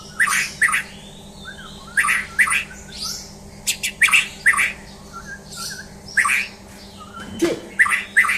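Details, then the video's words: Champion white-rumped shama during a mental test, giving loud, harsh, rasping bursts in pairs and small groups with a few soft whistled notes between, over a constant low electrical hum. "Tes Mental Murai Batu Juara"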